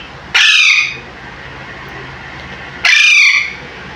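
An Alexandrine parakeet gives two loud, harsh, ringing squawks about two and a half seconds apart, each half a second long, over a quiet indoor background.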